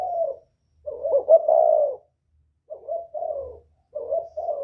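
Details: Spotted dove from northern Vietnam, whistle-voiced, cooing to draw in wild birds: a falling coo, a long rolling note, a pause, then two more paired coos, with a slight low rumble behind.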